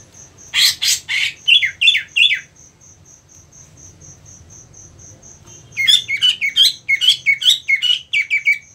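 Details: 2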